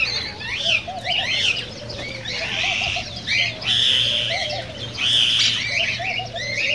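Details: Cockatiel calls played to encourage breeding and song: bursts of harsh, squawking chirps that come in clusters with brief quieter gaps, layered over soft lower whistled warbles and a steady low hum.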